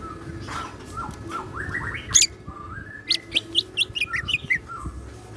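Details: Greater green leafbird in a cage, singing energetically in the siklon fill style: a run of short notes climbing step by step, one sharp high squeak, then a rapid tumbling series of bright chirps, with low background hum.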